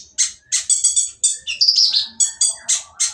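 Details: Oriental magpie-robin with a rough, noisy song meant to make other magpie-robins answer and sing: rapid harsh, scratchy notes repeated about three times per second, with a brief sweeping whistle in the middle.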